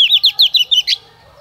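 A White-rumped shama female gives six quick, high, chirping notes about one every 0.15 seconds, sliding slightly downward, then falls silent.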